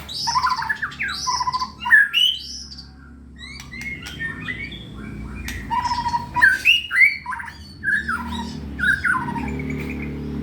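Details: White-rumped shama in full song, prepared for contest: quick, varied phrases of rising and falling whistles and abrupt clicks come in two energetic bursts separated by a quieter stretch of softer notes.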